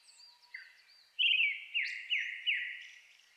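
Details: Brown-headed thrush singing at dusk in a May forest on the Shinetsu highlands of Japan, competing with a nearby Japanese thrush: soft high notes at first, then a loud burst followed by three falling buzzy phrases spaced about a third of a second apart.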